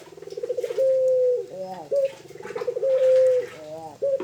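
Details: Tame puter, known as Barbary dove, delivering two rolling coos that each stretch into a steady held note, separated by short stepped notes; quiet indoor setting.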